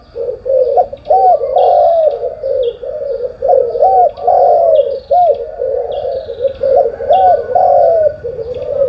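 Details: In the morning, spotted doves coo steadily in low, hoarse phrases with looping up-and-down notes about every two seconds. Thin, high chirps from other birds repeat behind them.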